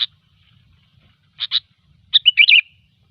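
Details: Sooty-headed bulbul singing in gecor style for luring: a lone sharp chip, then a paired chip, then a rich bubbly warbling phrase of rising and falling whistled notes.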